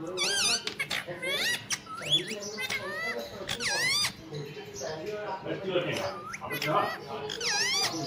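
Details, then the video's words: Pet rose-ringed parakeet, described as saying 'mummy papa', gives bursts of looping, high-pitched squeaks and chattering speech-like sounds, quieter murmuring in the middle, then more rising squeaks at the end. "funny Ringneck 🦜 Parrot Mithu talking mummy papa"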